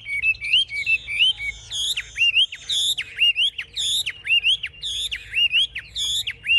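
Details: Fiercely fighting caged Chinese hwamei, wings lifted and tail fanned, sings loud ringing whistles, each ending in a sharp downward flick. The phrases repeat about once a second and pair with high, thin overtone-rich notes.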